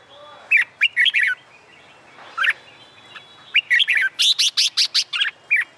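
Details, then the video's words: Red-whiskered bulbul singing in summer sunshine, contest-singing training: bursts of rapid chirpy whistles, a lone note midway, then a dense fast string of bright high notes ending in a short phrase. "LUYỆN CHÀO MÀO HÓT ĐẤU/ CHIM CHÀO MÀO HÓT GIỮA NẮNG NGÀY HÈ/ CHÀO MÀO HÓT KÍCH CHIM MỘC SỔ GIỌNG HÓT"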